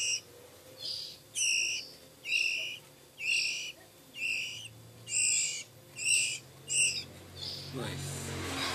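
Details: Oriental magpie-robin chicks a few weeks old beg with harsh, hissing rasps about once a second while being hand-fed. A brief rustle of handling noise comes at the end.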